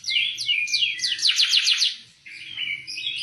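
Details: Oriental white-eye song, suited as a tutor recording for training other birds: rapid, continuous twittering of high descending slurred notes, briefly pausing, then resuming in quieter chattering. A low background murmur throughout.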